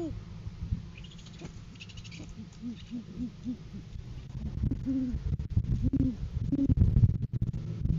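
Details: Great horned owls on a farm live cam, January 7, 2023, courting season with a food gift from male to female: a quick row of soft, low hoots, then louder hoots amid rustling and bumping noises.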